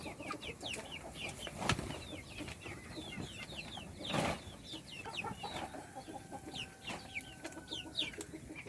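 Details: Little chickens being fed cheep steadily in high, thin, falling notes from several birds at once, over scattered taps and a couple of soft thuds from the feeding.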